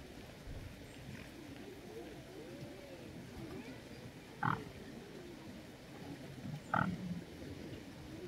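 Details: A Eurasian coot at Zbiljsko Lake on 6 October 2024 gives two short, sharp, explosive notes a couple of seconds apart over a steady low murmur, possibly distant voices.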